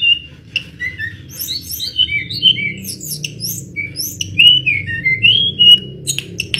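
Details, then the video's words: Mangrove blue flycatcher delivering sweet, wavering whistled phrases and quick high twitters, with a soft low rumble in the background. "Tledekan Gunung Edan Gacor Berkicau"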